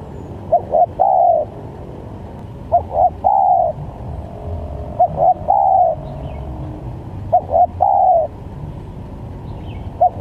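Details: Varied spotted dove calls meant to lure birds for trapping. Four evenly paced phrases, a short double note followed by a longer falling coo, roughly every two and a half seconds, plus the start of a fifth.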